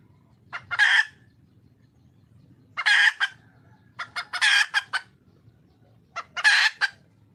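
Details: Wild red junglefowl hen calling for a male: four loud, harsh, raspy bursts, each under a second long and spaced about one to two seconds apart, some split into quick choppy pulses, over a low steady hum.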